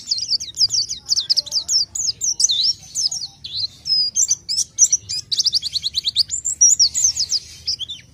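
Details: Orange-headed thrush in full song: a rapid, continuous run of sharp high whistled notes and slurred chirps, densely packed and varied, with a steady low hum underneath.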